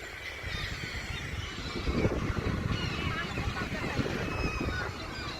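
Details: Thousands of gulls in Oman give a dense, overlapping clamour of harsh, wavering cries packed several per second, over a low rumble of wind or traffic.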